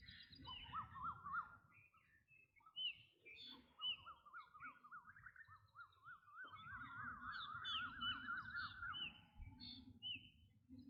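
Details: Black drongo calling: long runs of rapid, wavering mid-pitched notes, with brief higher whistled notes scattered over them. A steady low rumble runs underneath.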